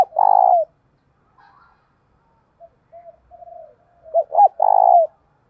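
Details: Decoy spotted dove calling to provoke rivals to fight, thổ bầu voice: a loud, hoarse coo opens, faint murmured notes follow, then two short rising notes lead into a second loud, drawn-out coo near the end.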